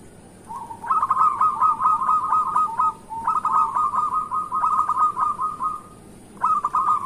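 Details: Local zebra dove used as a morning lure to prompt reluctant doves to sing: repeated rolling, warbled cooing phrases of about two seconds each, separated by short gaps, with a steady faint high hiss behind.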